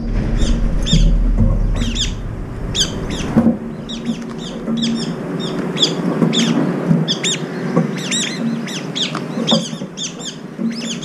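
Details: Brown-eared bulbuls at their morning food, squabbling while eating side by side. Short, sharp squeaky notes repeat at a brisk, uneven pace throughout, moderately loud, with a steady low drone in the background.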